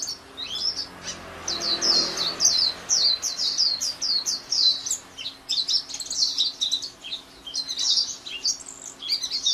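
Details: Lively, unbroken twittering song of a white-eye (pleci), quick high notes chained into long runs over nearly ten seconds, with faint low background noise.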